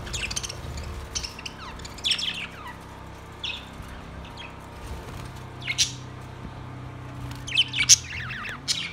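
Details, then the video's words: Caged budgerigars singing: scattered short, high chirps and squeaky warbles in brief bursts separated by quiet gaps, over a steady low electrical hum. "Cute Birds sounds"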